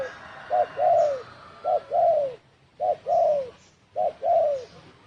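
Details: A spotted dove gives a "đồng thổ sấm" call used to lure and provoke other birds, 2020. Four evenly spaced pairs, each a short note then a long descending coo, sound over light background hiss.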